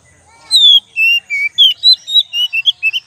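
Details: Oriental magpie-robin song used as a lure: a run of loud, clear whistled notes, some slurred downward, others short and rising, about eleven phrases in quick succession with almost no background.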